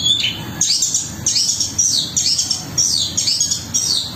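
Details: Long-tailed shrike in active song of rough fill notes: harsh, high, downslurred notes repeated roughly every half second in a steady series, over a faint constant high hiss.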